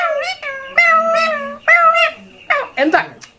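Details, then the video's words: Talking parakeet (tia pakhi) kept as a pet indoors, giving several drawn-out, harmonic, voice-like utterances with clear pitch bends and short gaps between them, followed by quicker squeaky phrases near the end. "অস্থির কথা বলে টিয়া পাখি"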